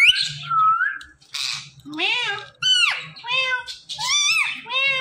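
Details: Indian ringneck parrot talking in a run of speech-like, arching syllables with strong harmonics, delivered rapidly with brief gaps between phrases.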